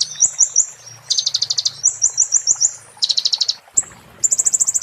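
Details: High-pitched 'muntah beling' song of a kolibri ninja, played as a tutor for magpie-robins and shamas; quick stuttering whistled series and dense rattling trills, each phrase under a second, with a faint low hum behind.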